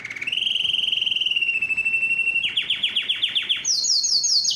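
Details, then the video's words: Yellow canary in song, holding a long steady whistled tone, then switching to a rapid run of sharp descending notes and finishing with a high, buzzy trill. "yellow canary singing"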